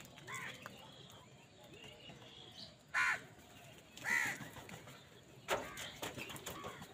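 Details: Angry crows squabbling with wild birds over food; three harsh, rough caws spaced about a second apart stand out above a low murmur of distant calls and outdoor noise.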